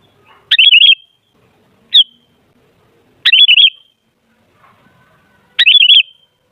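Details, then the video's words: Lure recording of a sooty-headed bulbul meant to set other bulbuls singing. Four bright, bubbling phrases with a single short note between them. The background is otherwise quiet. "Suara Burung Kutilang Ampuh Buat Pancingan Jadikan Kutilang Ribut Gacor"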